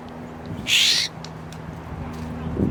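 A Florida Scrub-Jay gives a single harsh, raspy call about a third of a second long over a low, steady background hum.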